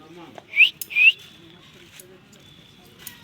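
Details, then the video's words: A talking ringneck parrot gives two loud, shrill chirps in quick succession, each a bright upward-sliding whistle, then falls quiet against faint background noise. "Talking Ringtonck parrot chirping sounds"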